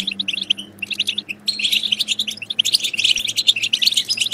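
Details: European goldfinch song played to stimulate goldfinches to sing and mate: rapid, liquid twittering of high chirps and trills, nearly continuous, with a brief pause before a denser burst, over a faint low hum.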